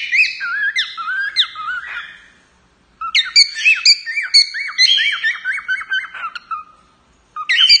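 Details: Song of a male cockatiel directed at its owner: quick series of chirpy whistled upslurs and downslurs, about two per second, in a burst, a pause, then a longer rapid phrase.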